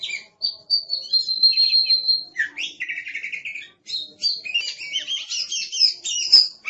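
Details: Oriental magpie-robin (kacer), a kept songbird said to be aggressive, with a sustained pure whistle followed by trilled buzzy notes and fast, varied high phrases, loud and almost unbroken.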